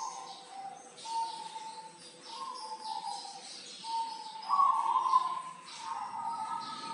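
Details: Local zebra dove from Tulungagung, kept as a vigorous singing tutor bird. A series of low, hollow cooing notes, some stepped and some wavering, delivered in uneven phrases with steady background hiss.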